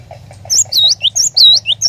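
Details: Cinereous tit lure song for a caged bird: sharp, high whistled notes, each dipping and rising, alternating with brief lower slurs in a rapid two-part rhythm. Faint low rumble and soft ticking below.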